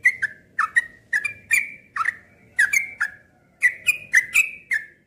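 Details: Cream-vented bulbul song of quick paired and tripled notes, some dipping lower then rising, sounding bubbly and energetic, with short gaps between bursts and a quiet background.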